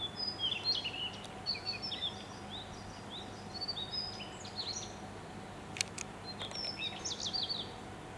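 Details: Daurian redstart in Yamanashi, Japan, singing from new-leafed treetops on 26 May. High, scratchy, twittering phrases of quick whistled notes are repeated through most of the recording, with a few sharp clicks and a constant low background hum.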